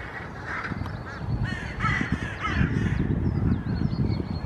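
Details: Hooded crows (Corvus corone cornix) in a pine stand in Helsinki, Finland, April 2024, restless over a nearby Common Raven, give harsh, rasping caws in quick bursts, with thin high small-bird whistles and low wind rumble.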